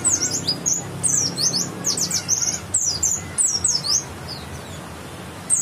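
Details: White-eye of West Java, grey/white breast with yellow streak, singing rapid runs of high, thin, downward-swept notes in busy bursts, above a low steady hum.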